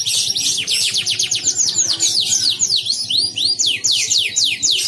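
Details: Canary singing for an online contest, Pontianak, West Kalimantan: rapid rattling trill gives way to looping, rising-and-falling whistled swoops, then a series of clear descending slurs, all high-pitched and loud.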